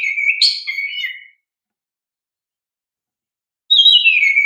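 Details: Oriental magpie-robin in vigorous song, meant to trigger young untrained birds: a warbled phrase of rising and falling whistles and chirps, silence for two seconds, then a bright descending whistle.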